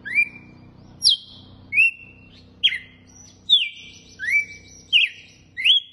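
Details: Red-cowled cardinal giving açoite song: loud whistled notes, some dropping steeply and some rising, repeated about every 0.7 seconds, over a soft low humming background.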